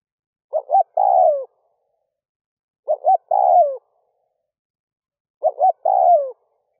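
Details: Lure spotted dove cooing in the early morning for wild doves, three evenly spaced phrases every two and a half seconds: paired short hoots leading into a drawn-out, downward-curving coo, with quiet between.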